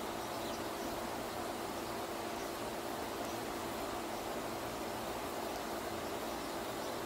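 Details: Steady broadband hiss resembling a fan or rushing water, unchanging throughout, with no animal calls.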